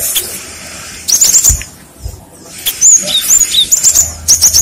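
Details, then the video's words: Sharp high chirps from a cinereous tit used as a lure for answering birds, in two short bursts separated by a quiet gap with a soft flutter. "Pancingan suara burung gelatik batu | gacor | gelatik lain langsung nyaut"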